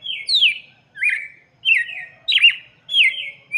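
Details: Red-cowled cardinal song played for chicks: clear whistled phrases, each starting high and sliding down, then a short buzzy trill, repeated roughly every 0.6 seconds with brief silent gaps.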